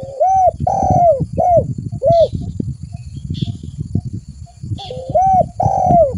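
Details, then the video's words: Spotted dove coos played to lure other doves: clear hollow notes, some short and some long and falling, over a constant low rumbling and thudding background with faint hissy bursts. "Suara pikat burung tekukur"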